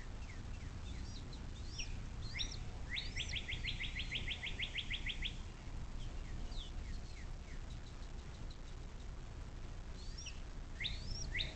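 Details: Bald eagle at a nest along the Little Miami River in southwest Ohio, USA, near South Lebanon, recorded 06.04.2024 at 17:23 by a nest cam: a rapid run of about ten sharp, high chittering notes, with scattered thin chirps and low steady background rumble.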